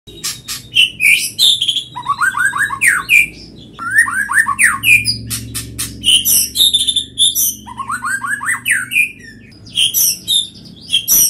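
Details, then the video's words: White-rumped shama in quick, responsive song: loud, rich and varied phrases mixing sharp high chips, rapid falling whistle runs and squawky notes, delivered in dense bursts with short gaps. "murai batu cepat respon dan bunyi"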